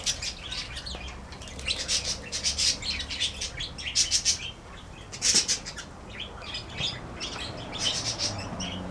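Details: Group of parakeets in a birdhouse chattering: clusters of sharp, high, scratchy chirps coming in bursts with short lulls, many birds overlapping, over steady low background hum.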